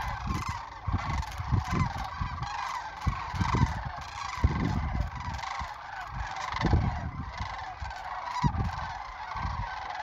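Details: A large gathering of sandhill cranes on spring migration south of Wood River, Nebraska, giving a dense, continuous chorus of rattling, bugling calls, with low wind rumble and thuds throughout.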